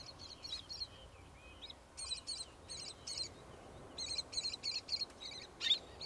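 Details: Roseate tern recorded on 27 August 2022, giving a series of short, harsh, high-pitched calls in clustered bursts, several per second with brief pauses, over a steady hiss of background noise.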